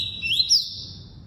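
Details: Double-collared seedeater singing the tuí-tuí song type: a brief bright whistled phrase, a steady high note rising into a sharp upward slur, then a long fading tone, over faint low background hum.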